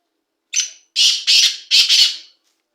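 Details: Black francolin, a first-season young male, calling loudly. One short harsh note comes first, then four loud, grating, rasping notes in quick succession: two close together, a brief gap, then two more. Silence falls before and after.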